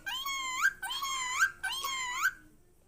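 A talking bird gives three drawn-out, nasal, meow-like calls, each rising slightly and lasting under a second, close together in a quiet room.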